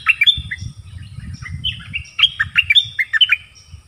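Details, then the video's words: Nok dok taeng singing in a duel with wild birds: quick bright chirps and whistled notes, some sliding, in rapid bursts, with a low rumble underneath. "เสียงนกดอกแตงEp.24 ดวลเพลงเบิ้ลกับนกป่า"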